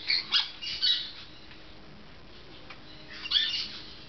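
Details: Pet Golden-winged parakeet at bath time, indoors in a small room: a few short, harsh, high squawks in quick succession at the start, then quiet, then another burst of scratchy chatter near the end.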